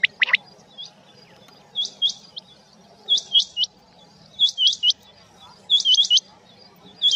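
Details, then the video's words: Male and female quail calling in rain: sharp, high hooked whistles in pairs and triplets every second or so, with one loud opening note and a steady low background hiss. "Rain Male Female Quail Beautiful Sounds"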